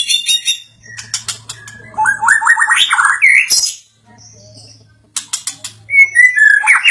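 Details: Agitated white-rumped shama reacting to a played sound with varied song: clicks, a climbing stepped series of rich whistles, a brief pause, then loud rapid chattering and rising whistled notes.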